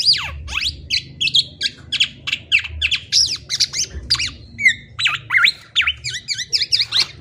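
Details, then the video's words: Black-naped oriole pouring out rapid high notes: quick falling whistles, chattering clusters and a few rising squeaks in continuous succession, steady low rumble underneath. "KICAUAN BURUNG KEPODANG"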